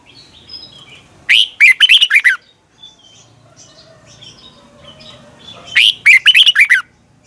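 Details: Morning practice song of a caged red-whiskered bulbul: two loud, chattering bursts of fast warbled notes, each about one second long, separated by roughly four seconds of quiet.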